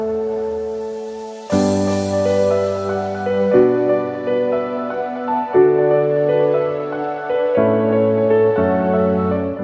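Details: Slow, soft piano-like music with sustained chords changing every two seconds; no animal sounds.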